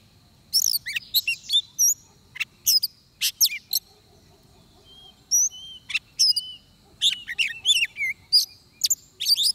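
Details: Oriental magpie-robin heard while being trapped, pouring out a long varied song of clear whistles, sharp chips and slurred notes in irregular bursts, with a few soft thin whistles between phrases and a quiet backdrop.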